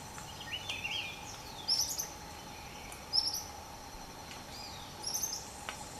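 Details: Endemic Velvet-fronted Euphonia at Cerro Quininí in the Bogotá region: three brief, thin, high chirping notes about a second apart, with lower warbling sweeps from other birds and a steady low hum behind.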